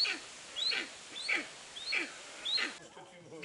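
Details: Steppe eagle kept at Zoo d'Upie, Drôme, France, calling in a run of four loud, downslurred, ringing notes roughly every 0.6 seconds, then falling quiet amid faint background noise.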